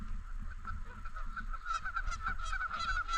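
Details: Several Canada geese at a lake in a park give loud, harmonic-rich nasal honks that grow denser and stronger toward the end, repeated in quick overlapping bursts above steady low rumble.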